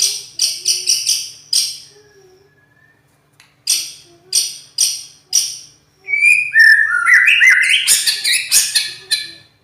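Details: White-rumped shama song with a harsh, loud voice: bursts of sharp clicking notes in separated clusters, a pause, then a rapid jumble of high whistles and rasping phrases.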